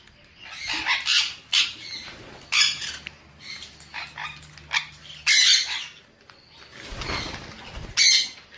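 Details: Sun conure making spaced, harsh screeches, each burst brief and abrasive, with quieter gaps and a low hum in the background.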